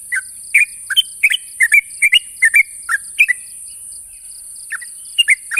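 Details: Sooty-headed bulbul challenging a rival: bright, bubbling phrases of two or three quick whistled notes repeated with short gaps, a brief lull, then more, over steady high hiss and faint beeping.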